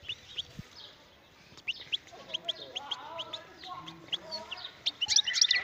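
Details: Wild European goldfinch singing: after a quiet opening second, rapid high chirps and twitters come about four per second, with lower warbled phrases running beneath and a denser burst of bright notes near the end.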